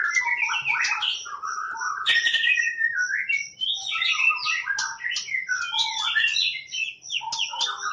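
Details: White-rumped shama, a champion competition bird, singing 'tembakan' phrases: a dense, tumbling mix of varied whistles and high sharp notes over a faint low buzz.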